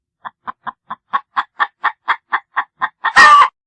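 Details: A steady series of about twelve short, raspy clucks, roughly four per second and slightly louder midway, from a chicken that breaks into a loud, rough squawk at the end.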